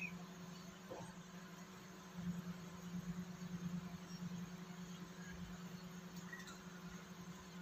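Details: Low, steady engine-like hum with a faint drone and a few soft knocks, and no animal calls.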